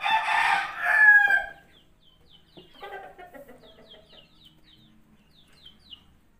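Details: Rooster crowing in Ciawigebang, Kuningan, West Java, Indonesia: one loud, drawn-out harmonic crow lasting about a second and a half, followed by softer clucking notes and faint high chirps of small birds.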